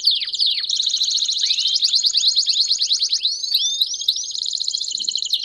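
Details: Belgian canaries singing as a group: brief swooping whistles open into long rapid rolling trills, with looping upward-curving phrases near the end, continuous and bright.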